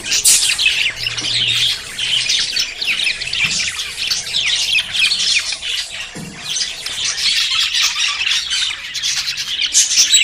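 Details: Budgerigars courting and about to breed: dense, continuous chattering warble of overlapping high squawks, chirps and trills with no pauses, swelling and dipping in loudness over ten seconds.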